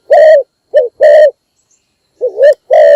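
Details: Morning call of a decoy spotted dove used to lure wild doves. Deep, hollow coos: a long steady note, a brief note and another long one, then after a pause a wavering coo that leads into a sustained note.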